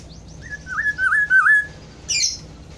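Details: Kepodang hutan, the black-throated oriole: one mellow, liquid phrase of wavy whistled notes, followed by a brief high, sharp chirp from another sound source after a short pause.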